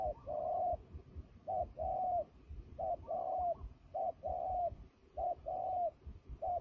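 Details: Turtle dove in fighting mode, a bird used for trapping, repeating a clipped short note followed by a longer level coo, each pair about a second apart, steady and loud against a quiet background.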